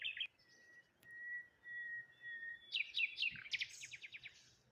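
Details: Birds heard one morning beside water with rose hips and a lone tree: a long, thin, steady whistle runs for about two seconds, then a burst of rapid, high chirps and repeated sharp notes.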